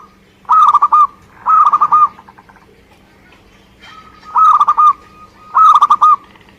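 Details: Vigorous song from a local Indonesian zebra dove (perkutut): four clipped phrases of rapid, pulsing coos in two pairs, split by a quiet pause of about two seconds, with a soft steady hum behind.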